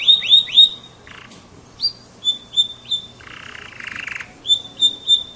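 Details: Canary, an F1 bird, giving sharp swept whistles and short clipped chirps with pauses, broken by a couple of rasping buzzy bursts.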